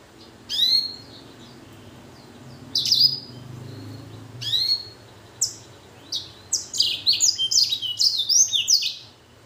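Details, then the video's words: Blackthroat x canary hybrid, actively singing: a few widely spaced sharp chirps build into a fast, run-together series of high twittering notes and trills near the end. "Blacken Gacor Warna Unik Sekali | Blackthrout x Kenari"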